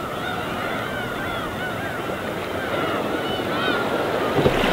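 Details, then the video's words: Waves wash in over the winter East Sea as gulls in flight call with a loose series of thin, arching cries, and a wave breaks loudly near the end. "갈매기와 잔잔한 파도소리"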